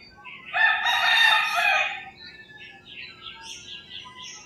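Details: Early morning in the rural Philippines, a rooster gives one loud, ringing crow lasting about one and a half seconds, followed by a string of high, repeated bird chirps.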